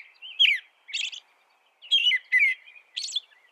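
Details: American robin singing: short whistled phrases sliding downward, separated by brief pauses, some with higher squeaky, buzzy notes; clean recording with no other sounds.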